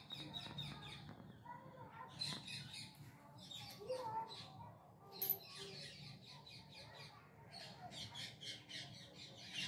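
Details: Parrots calling at dusk in Bangalore city, India: a flock's harsh, buzzy screeches come in irregular overlapping bursts, dense and high-pitched, with a low background hum throughout.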